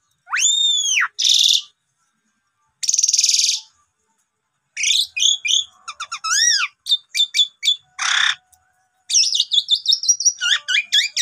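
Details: Lure recording of Asian pied starling song meant to spur other birds to sing. Loud rising-and-falling whistles and harsh grating bursts give way to runs of quick chirps and trills after long pauses.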